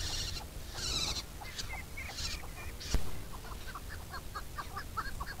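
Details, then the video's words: Chukar breaking into a quick series of rough, chuckling notes in the second half, preceded by several hissing, breathy bursts and a sharp knock, over a low background rumble. "Alectoris chukar Πέρδικα"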